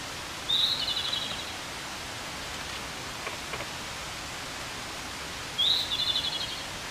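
Two high Japanese robin phrases, each a sharp opening note that runs straight into a fast rattling trill, about five seconds apart, over a steady rushing hiss.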